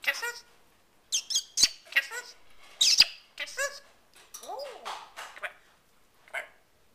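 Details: Talking African grey parrot producing speech-like phrases: rapid harmonic syllables, squeaky high notes and a rising-falling whistled arc, in bursts separated by brief pauses.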